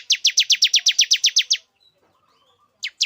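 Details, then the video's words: Male bar-winged prinia singing to lure a female into breeding condition: a fast series of about twelve sharp, downslurred high chips at roughly four per second, then a pause and two more chips. "Suara pikat ciblek jantan agar betina cepat birahi"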